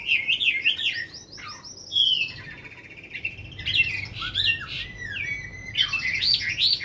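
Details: Caged Chinese hwamei, said to be over five years in the cage, singing well after a full feed: rich, varied whistled phrases with rapid slurred notes, rising and falling sweeps, and a brief quieter pause mid-song.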